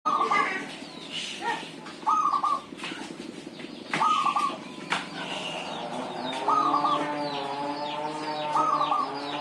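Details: Local zebra dove singing in the kowar-kowar style: mid-pitched wavering coo phrases repeated roughly every two seconds, five phrases in all, with chirps and twitters from other birds around.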